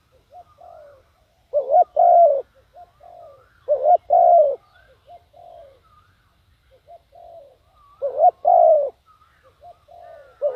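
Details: Spotted dove used as a decoy, cooing to attract wild doves. Three strong phrases, each a quick double coo followed by a long mellow coo, spaced about every three seconds, with faint softer coos between them.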